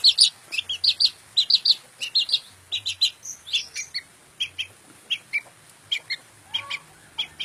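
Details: Long-tailed shrike with a lively run of varied chirps and scratchy notes, dense at first and then more spaced, mixing clear and buzzy elements over a faint low hum.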